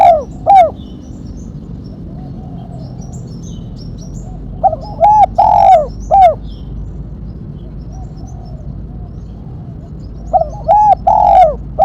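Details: Spotted dove giving its sharp 'mercik kuk 1' style call, kept for luring and training birds: three mellow, mid-pitched cooing phrases near the start, middle and end, each a quick note then longer slurred coos, with quiet gaps between.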